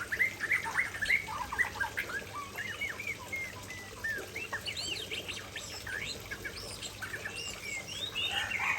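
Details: White-rumped shama, Aceh variety, singing energetically by a waterfall: rapid jumbled whistles and upward-flicking chirps, loud at the start, softer mid-way, then rising again.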